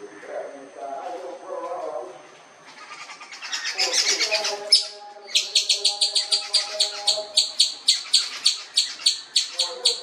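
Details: Jungle babbler, also called common babbler or seven sisters: after some mixed softer sounds, a rapid series of harsh, clipped high notes starts midway and repeats about three times a second to the end.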